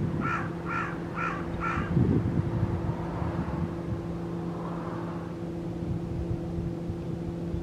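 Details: Carrion crow escaped from captivity, a torn string on one leg and unafraid of people, in the Guia area of Cascais: four quick harsh caws in a row at the start, then a steady low engine hum and passing traffic.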